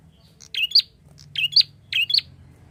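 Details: Lure call of a prinia meant to draw other birds: three clipped chirp bursts, each a quick rising-and-falling pair of sharp notes, spaced under a second apart over a soft low hum.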